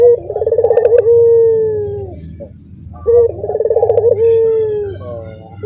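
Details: Caged Barbary doves, the cooing style called dorongan, with other doves in the same cage joining in: two full coos, each a fast rolling stutter of pulses that runs into a long, steady, slightly falling drawn-out note, about three seconds apart.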